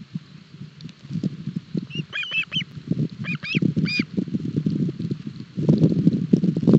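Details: Osprey chicks in Barlinek Forest struggling with a breakfast fish on 7 July 2022, captured by a nest live cam. A series of high, thin, slurred chirps in short clusters, over steady low rustling and scraping nest noise.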